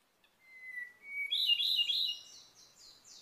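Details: Ryukyu robin, an endangered species endemic to Okinawa, Japan, sings a long, thin, steady whistle, then a rich rattling trill and a quick run of high bright notes; the background is quiet.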